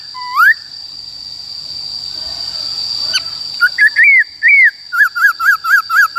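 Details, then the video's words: White-cheeked laughingthrush singing in forest style: a rising whistle, a pause, then bouncy looping whistled notes repeated rapidly about twice per second, over a steady high electronic whine. "Khướu Bạc Má HÓt Giọng Rừng Bao Phê"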